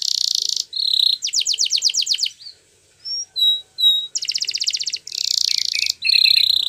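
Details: Domestic canary singing a Spanish Timbrado training song: fast metallic rattling trills and rolls, clicking tours around one to two seconds long, a few pure rising and falling whistles between, then more rapid buzzy rolls, bright and high-pitched throughout, with no background noise.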